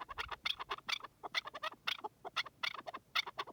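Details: Wild partridge, loud and close, giving quick bursts of harsh, clucking chuk notes in uneven groups of two or three.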